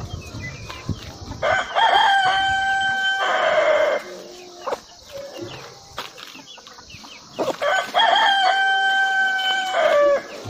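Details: Rooster crowing twice, each a loud strained cock-a-doodle-doo with a rising start and a long held, falling end, over a noisy background with scattered clucks and rustling.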